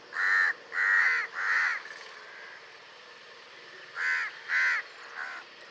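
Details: House crow, a common urban bird, giving loud harsh caws: three in quick succession, a softer trailing note, a pause, then two more caws and a weaker final one.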